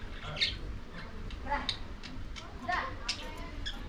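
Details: Lovebirds feeding on corn give short, shrill chirps and squeaks at an irregular pace over a steady low rumble of background noise.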